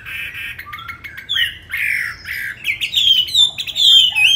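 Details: Captive tamed Chinese hwamei delivering a varied song: a few short harsh bursts and scratchy notes at first, then clear, ringing whistles that swoop upward and hold, growing louder toward the end.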